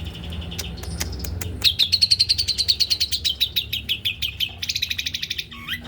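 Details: Male white-rumped shama giving fast, dense singing in the 'pentet speed rapat' style: after a few scattered chips, a rapid, steady run of short, high, sharp notes packed closely together, ending in a burst of buzzier notes and a low slurred whistle.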